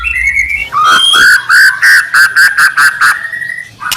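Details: White-rumped shama song used as a provocation lure: a rising whistled note, then a run of evenly pulsed, mellow notes about five per second, with a low hum underneath.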